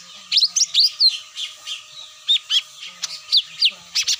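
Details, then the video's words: Lure call of cucak mini used to draw birds down: bright, high chirps and quick upward and downward whistled slurs, about three notes a second, with a faint continuous hum in the background. "SUARA ASLI PIKAT CUCAK MINI"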